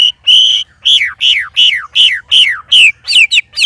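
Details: Caged white-rumped shama, one of three birds set to spar together, giving strange loud sounds: a run of about nine clear, loud whistled notes, each sliding downward, repeated at an even pace with short gaps.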